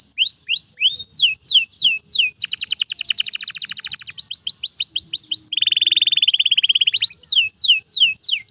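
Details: Canary song for training canaries: repeated hooked whistles, a dense rattling trill, more swooping notes, a lower buzzy roll, then further downslurred phrases.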